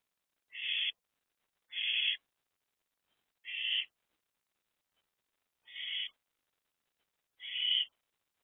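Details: From a nest box holding three owlets on the morning of 13 April 2024, five soft, even hissing bursts come every one to two seconds against near silence.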